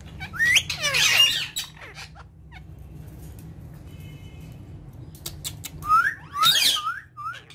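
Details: Pet ringneck parrots, three together, with loud bursts of squeaky harmonic calls and rising chirps at the start and end, a quieter stretch of faint clicks between.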